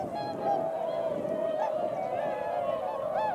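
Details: Many swans honking together on an early February morning near 8 a.m. as they run into the wind to take off; continuous layered trumpeting notes with occasional upward-inflected honks.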